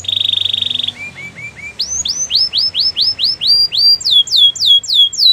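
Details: Canary song played to stimulate a quiet canary to sing: a buzzy trill, then quick repeated upward-sweeping whistled notes in rapid series, each phrase shifting to higher, faster notes.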